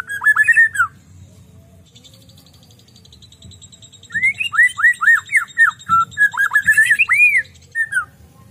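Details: White-rumped shama singing in lively 'gacor' style: loud rising and falling whistled notes in quick bursts, a sweet phrase then a pause and a longer run of slurred whistles, with a faint high steady buzzing behind.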